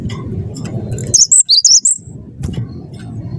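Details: Cinereous tit of the wingko type singing actively, used as a lure to prompt other birds to sing: a quick phrase of five high, sharp whistled notes in under a second, over a steady low rumbling background.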